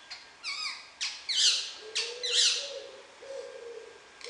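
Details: Wild rose-ringed parakeet talking, recorded 19 July 2016: sharp, shrill screeches mixed with drawn-out lower, voice-like tones.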